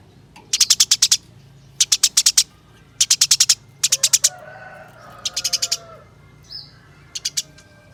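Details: House sparrow kept in a cage as a contest songbird, delivering energetic 'gacor ngeroll' rolling song: five or six bursts of rapid, high, dry chirps, each burst about half a second long, separated by short pauses, with soft whistles behind.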